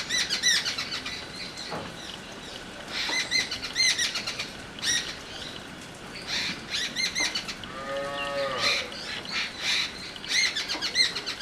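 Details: Jungle babbler, locally called satbhai, giving harsh, squeaky chattering bursts in quick runs of rasping notes, several outbursts separated by short pauses; a cow moos once in the background near the end.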